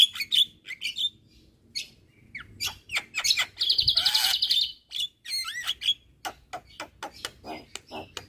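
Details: Javan myna song used to tutor reluctant singers: sharp clicks and whistles, a fast buzzy rattle in the middle, looping whistled slurs, then spaced dry ticks.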